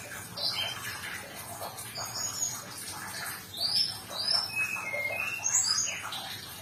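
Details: A Sumatran leafbird's varied song, used as therapy for stressed birds that have stopped singing: scattered high whistles, some sliding downward, others rising, arriving in loose clusters over constant background noise.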